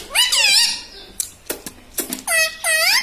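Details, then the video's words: A tame green ringneck parrot at home, trained to speak words like mummy, papa and radhe radhe, gives a rapid, shrill, up-and-down phrase, a few clicks, then two sustained squawky syllables. "cute talking parrot"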